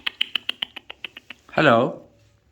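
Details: About ten evenly spaced, sharp clicks, followed by one loud, rasping, speech-like word from a talking Alexandrine parakeet.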